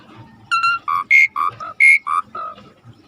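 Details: Starling known as suret, singing on a tutor recording: a string of full, harmonic whistled notes alternating between lower and higher pitches, roughly one every third of a second.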